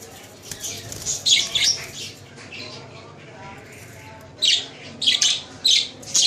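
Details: Budgerigars, called Australian parrots, kept as pets in Lahore, Pakistan: short bursts of high, scratchy chirps and warbles, a loud cluster near the start, then several quick squawky bursts in the last two seconds over a quiet murmur.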